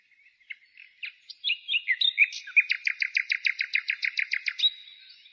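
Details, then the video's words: Wild bird singing in spring countryside on 15 May 2017; a few scattered chirps build into a fast, even trill of about a dozen sharp repeated notes, ending in a brief whistled note. "Пение птиц"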